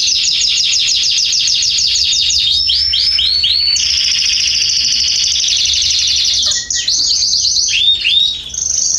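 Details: Canaries singing in a garden in September 2020, a loud continuous song of rapid high trills, buzzy rolls and sweeping whistled phrases shifting every second or two without pause.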